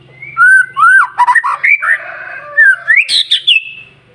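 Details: Lure song of a white-rumped shama meant to spur other shamas into singing: loud, varied whistled notes that swoop and bend, quick chirps, and a rising run ending in higher sharp whistles.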